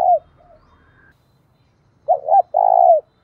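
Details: Decoy spotted dove calling to provoke fighting: a short falling coo, a pause, then a quick double note and a long steady coo, low and throaty with a faint thin whistle between.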